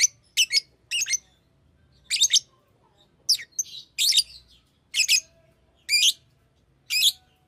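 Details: Fischer's lovebird kept as a pet, chirping in harsh, high, scratchy notes, often doubled, repeated irregularly about every second, faint room hum underneath.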